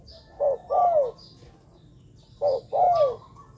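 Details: Spotted dove call used to lure wild doves to ground, branch or trap-cage decoys: two phrases, each a short low coo followed by a longer bending, falling coo, spaced about two seconds apart, with faint high chirps from other birds.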